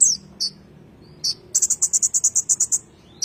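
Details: Kolibri ninja in rolling ngerol song, used as a master for magpie-robins: a falling squeak, a couple of high chips, then a quick run of around twelve tight, buzzy high notes ending with one sharp chip.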